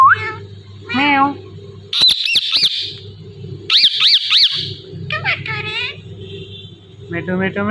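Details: Rose-ringed parakeet saying "Mithu": warbled harmonic syllables mixed with harsh squawks and rapid high chirps, over a steady low hum.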